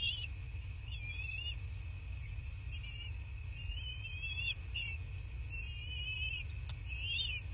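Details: Bald eagles at their nest in a quiet southwest Florida landscape, captured by a nest camera; high, thin, wavering whistled chitters come in short bursts every second or so, over a steady low rumble and a constant tonal hum.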